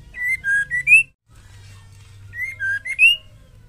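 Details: Female white-rumped shama, or murai batu, whose song is used to make males sing. Two brief phrases of four clear whistled notes, each ending on a higher rising whistle, with a low steady hum.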